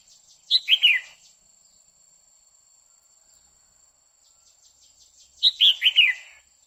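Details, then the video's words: Female red-whiskered bulbul singing continuously to excite a male, in the quých kiu style: two bright whistled phrases of three quick falling notes, about five seconds apart, with faint rapid ticking between them. "Chào mào mái hót kích trống liên tục Chào Mào mái quých kiu mào mái hót"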